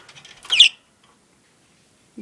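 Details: Pet budgerigar, a male kept in a cage, angry after its ways of escaping through the door and water bowl were blocked. It gives a single short harsh chirp burst, then silence, and a human voice begins at the end.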